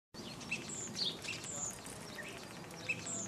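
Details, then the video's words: Common starling in a garden in Hengelo, Netherlands: a jumble of thin high whistles and short chirps, scattered unevenly over a few seconds against steady background noise. "Spreeuw - Sturnus vulgaris - Starling - Star"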